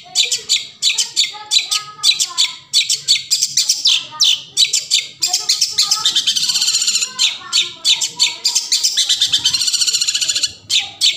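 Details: Long-tailed shrike (cendet) song played as a lure for shrikes that have stopped singing: a dense, rapid chatter of harsh scratchy notes and buzzy trills, almost continuous, with faint lower warbling beneath.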